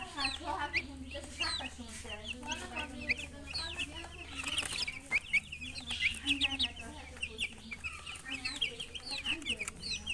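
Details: Chicken chirping: many chicks peeping in busy overlapping high notes alongside low rolling hen clucks, continuous throughout.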